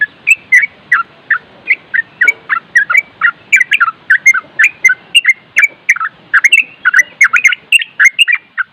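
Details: Nropel song of a trucuk, or Yellow-vented Bulbul: a long chattering string of liquid whistled notes, fast and uneven, mostly mid-pitched with brief bright peaks, no other sounds.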